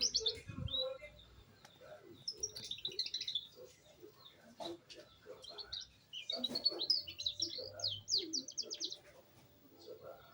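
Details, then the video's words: Young canary, a beginner just starting to produce rolling trills, singing in bursts of high twittering and rapid notes, with quiet pauses between phrases and faint low background sounds. "knari loper paud mulai ngrol"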